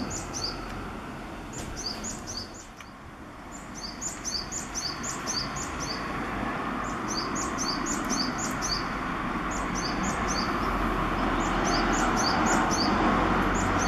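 A Japanese tit sings thin, high, two-note phrases repeated in quick bursts, about four notes a second, over a steady rumble of background noise.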